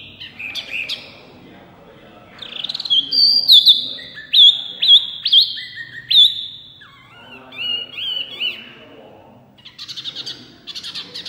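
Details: Small white-eye, locally wambi, singing hard and loud: scattered high chirps, then a run of emphatic, repeated whistled notes with sharp hooked tops, followed by softer twitters and a buzzy ending.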